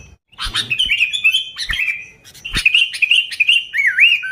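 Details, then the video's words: Genuine sooty-headed bulbul song, lively and unmixed with other birds, for luring bulbuls: tumbling liquid warbles ending in looping, swooping whistles, with occasional knocks. "Suara Burung Kutilang Gacor ASLI Tanpa isian, Ampuh untuk Pikat Kutilang bikin kutilang Ribut gacor"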